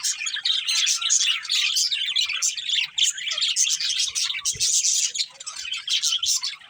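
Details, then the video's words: Pet budgies deliver a steady, dense warbling chatter of chirps, clicks and squeaky notes, hardly pausing, tapering slightly near the end. "Cute Budgies Chirping Sounds"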